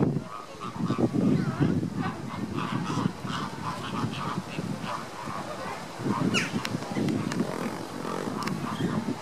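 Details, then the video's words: Flock of Caribbean flamingos in August 2014 calling together: dense, overlapping honks and grunting nasal notes throughout, rising and falling in loudness, with a few sharp higher clicks around the middle. "Caribbean flamingos August 2014"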